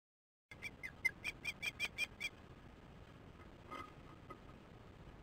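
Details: Osprey at a nest, chasing a new fledgling away on an August afternoon: a rapid series of eight sharp, high whistled chirps, evenly paced, then fading to quiet background hiss with one faint note.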